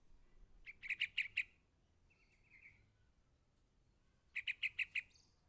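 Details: A young yellow-vented bulbul calls its parent with a rapid cluster of five sharp chirps, a short buzzy trill in the quiet gap, then a second quick burst of five chirps.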